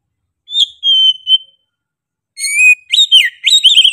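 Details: Oriental magpie-robin singing sharply and persistently. A pure, level whistle and a short note come first. After a gap, a rising whistle leads into quick, looping, slurred phrases.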